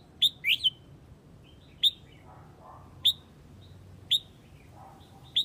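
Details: Red-whiskered bulbul of the Huế type calling its flock: sharp, bright chirped notes, some slurred upward, given singly or in quick pairs about once a second, over a faint low hum.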